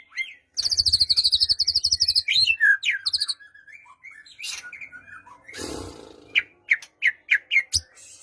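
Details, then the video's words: Song of a white-rumped shama, used so a quiet bird starts singing: a fast high trill, then varied whistles, a noisy rustling burst, and a row of short sharp notes about three per second. "Murai Batu Diam Dengar Kicauan ini Seketika Langsung Nyaut GACOR"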